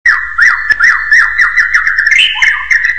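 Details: Common hill myna (Gracula religiosa) giving a steady run of whistled, warbling notes, bumping up and down about three times a second, then lifting higher near the end.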